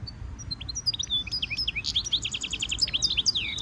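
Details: European goldfinch mule (hybrid) singing a training stimulation song: rapid high twittering notes and short slurred chirps. They come in dense bursts that build toward the end, over a soft low background rumble.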